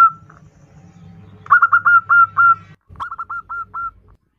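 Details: A female zebra dove calling to a male gives a short note, then two quick runs of soft, clipped cooing notes, about six a second, over a low hum.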